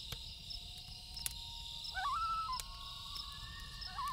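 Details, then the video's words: Long, even wailing tones from loons at night give way to a rising, wavering tremolo call, then another begins; a campfire pops and a high hiss runs throughout. "1 Hour Loon Calls With Campfire Sound"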